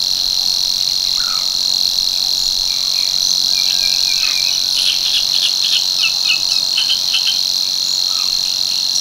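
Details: Savi's warbler, a male singing at Tancat de l'Illa in l'Albufera, where the species returns from March to breed: an unbroken, monotonous high buzzing reel held steady throughout, with scattered short chirps and croaks underneath.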